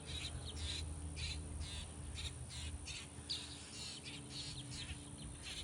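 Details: Grackle feeding its chicks: harsh, raspy bursts repeated about twice per second, each a short noisy squawk, over a steady low hum in the background.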